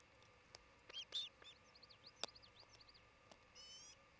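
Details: Osprey at its nest near Charlo, Montana, picked up by a nest camera late on the morning of 27 June 2018: scattered high whistled chirps, some sliding down and up, with a brief harmonic whistle near the end over steady hiss.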